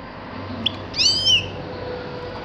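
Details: Grey-crowned goldfinch giving a single brief nasal, harmonic call with a slight rise and fall, preceded by a faint tick, over quiet background hiss.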